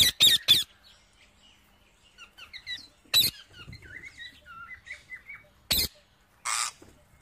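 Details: Wild parrot eating seeds: loud sharp crackling bursts alternate with a stretch of varied chirping and warbled, falling notes.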